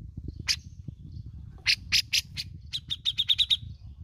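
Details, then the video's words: Bearded bulbul from Indonesia giving loud, rough, scratchy notes, then a quick string of about eight bright, high pips. Steady low-pitched rumble in the background. "BESETAN DAN NGEPIKNYA OKEH BANGET ,REKOMENDED UNTUK PANCING BUNYI .CUCAK JENGGOT GACOR"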